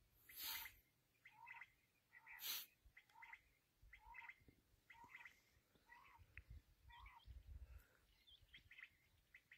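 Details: Black francolin, known locally as kala teetar, gives a steady run of rasping two-part notes roughly every second after two loud hissing bursts at the start, over low background rumble.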